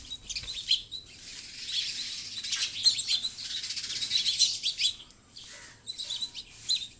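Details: House sparrows keep up busy, irregular high-pitched chirping and cheeping, several short notes per second in loose clusters with brief quieter gaps.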